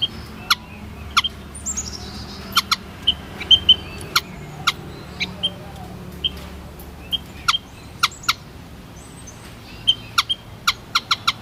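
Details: White-headed munia: repeated sharp clicks with scattered high peeps and a faint falling run of soft notes early on, over low background hiss.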